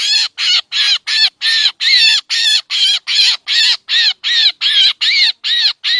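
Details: Black drongo lure call for bird trapping, claimed to pull in mynas too: a steady chain of grating, buzzy notes with rising-falling harmonics, around fifteen in six seconds.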